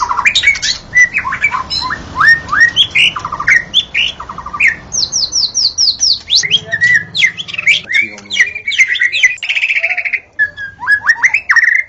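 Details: White-rumped shama recorded in the forest, singing vigorously and continuously: an energetic medley of sharp upward-swept whistles, a quick buzzy rattle, rapid repeated high notes, and rich warbled phrases.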